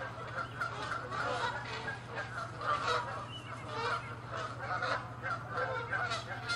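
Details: Canada geese fighting and chasing each other in territorial disputes on water and land, giving loud overlapping nasal honks in a continuous chorus, several birds calling at once with a steady low hum underneath.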